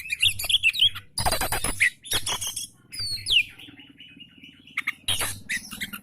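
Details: Oriental magpie-robin song used to stimulate lazy magpie-robins into singing: bright whistled notes and a sliding whistle mixed with short harsh chirpy bursts and pauses, a low hum underneath.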